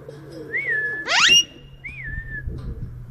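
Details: Ringneck parrot, a talking bird at a dairy farm in Bahria Town, Lahore, Pakistan, gives two short rising-then-falling whistles around one harsh, upward-sweeping screech, over a steady low electrical hum.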